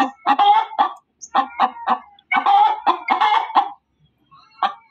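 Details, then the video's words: Hen cackling loudly in short volleys of three or four grating clucks, separated by brief silences, ending with a single isolated note. "SUARA AYAM BERKOKOK KERAS || suara ayam berkokok betina"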